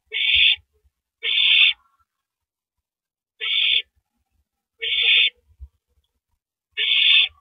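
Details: Owl passing a rabbit to its mate at the nest after feeding, April 9, 2012, at night; five harsh hissing bursts at irregular gaps of one to two seconds, with scattered low thuds.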